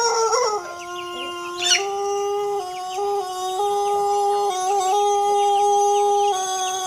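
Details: Pelung rooster gives one very long crow: a short rising start, then a sustained, steady middle held for about five seconds, stepping slightly higher near the end, the long clear final part prized in contest birds.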